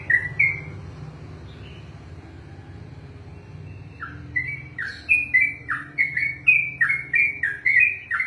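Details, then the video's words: Yellow-vented bulbul (trucukan) in ropelan style: a couple of whistles, several seconds of low engine-like rumble, then a fast steady chain of bright whistled notes resumes to the end. "ROPELAN BURUNG TRUCUKAN TERPANJANG DALAM SEJARAH"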